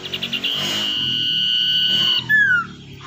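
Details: Common iora, wild-caught and tamed, kept as a lure bird: rapid stuttered notes open a long flat whistle that ends in a brief falling slur, over a steady low background hum.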